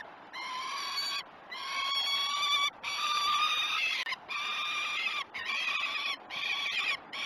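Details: Peregrine falcons at breakfast feeding on a nest live cam at Great Spirit Bluff, 21 June 2018, morning; long harsh, strongly harmonic wailing calls repeated with short gaps, loud and steady.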